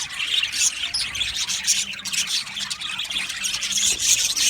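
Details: Male budgies recorded 8 December 2025: bright, scratchy chirps and squawks pouring out in quick overlapping bursts, the chatter swelling and fading every second or so.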